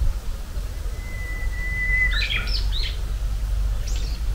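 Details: First Japanese bush warbler song of the spring: one long, level whistled note held for about a second, then a quick run of sliding, jerky notes, followed by faint high chirps over a low background rumble.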